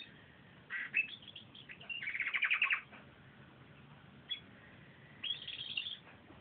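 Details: Pet canary singing on a sunny day, phone recording: scattered high chirps lead into a loud rapid trilled run of repeated notes, a pause with a lone chirp, then a shorter high buzzy twitter near the end.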